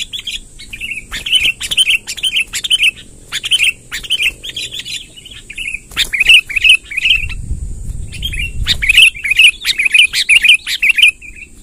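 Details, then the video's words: Sooty-headed bulbul, wild, in long rolling song: repeated bursts of looping whistled notes filling the whole stretch, a brief low rumble midway, and sharp clicks plus steady high hiss in the background. "suara tembakan BURUNG KUTILANG NGEROL PANJANG"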